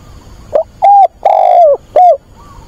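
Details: Decoy spotted dove, calling for a mate on a weekend in late August, utters one four-part coo: a short note, an even coo, a long descending coo and a brief ending note.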